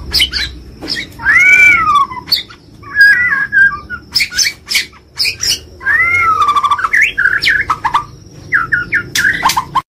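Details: Champion-style 'gacor' white-rumped shama alternating loud rising-and-falling mewing whistles with wavering whistled notes and sharp clicking chatter, the sequence coming around twice.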